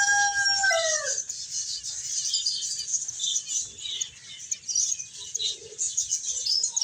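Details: Finches playing and eating, a flock twittering in a dense high chorus of thin chirps, opened by a short sliding tone that drops in pitch during the first second.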